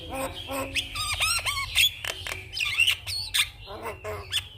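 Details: Morning Javan myna song played to spur other mynas to sing, a busy stream of raspy squawks, bent whistles and dense clicking notes, with a constant low background hum.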